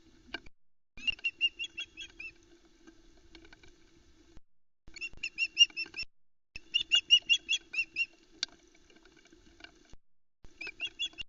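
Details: Osprey female on a Loch Arkaig nest, 4 July 2020, calling as chicks crowd around a freshly delivered trout; clusters of shrill, clipped screeches in irregular bursts with quieter stretches between and faint background hum.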